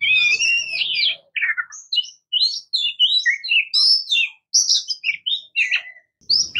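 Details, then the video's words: Song of the Oriental magpie-robin (murai kampung, kacer): a loud opening warble, then a stream of short bright whistles and twittering notes jumping between pitches. "Oriental Magpie Robin Singing | Suara Burung Murai Kampung | Bunyi Kacer"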